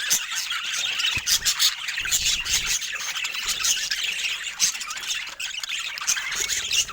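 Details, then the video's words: Budgerigar giving a steady, dense, high-pitched chattering warble. Squawky notes and sharp clicks are mixed throughout, with brief louder bursts and no pauses across the seven seconds. "Sweet Budgie Love and Funny Fun Sounds"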